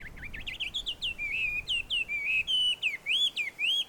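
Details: Wild Chinese hwamei singing in a small grove at a Tenmangu shrine in Joso, Ibaraki, Japan: a rapid, unbroken run of bright whistled notes that slide up and down, some held, others quick and looping.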